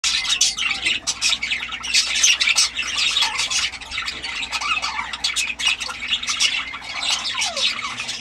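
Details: Several parrots calling together, a dense, continuous chorus of harsh, raspy squawks and chatter overlapping throughout, with sharp bursts every fraction of a second and a brief descending whistle near the end.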